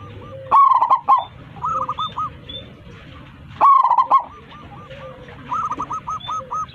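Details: Local zebra dove singing strongly to call its flock: two rich, rapid rolling coo phrases three seconds apart, each trailed by a series of fainter repeated curved coo notes.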